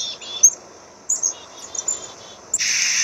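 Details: Black-capped chickadee giving a buzzy note early, then a run of evenly spaced husky dee notes, ending in a sudden loud hiss of noise.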